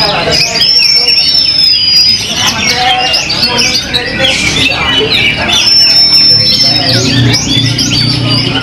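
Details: White-rumped shama, a contest bird just after its first moult, singing a dense, fast stream of varied twittering and squawky notes with long, steady high whistles near 1 and 5.5 seconds, over constant crowd chatter and low hum.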